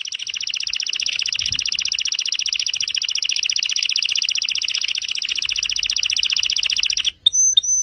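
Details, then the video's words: Canary training song: an extended, very fast, even trill held for about seven seconds, ending with two short clear whistled notes. "Kenari gacor untuk masteran"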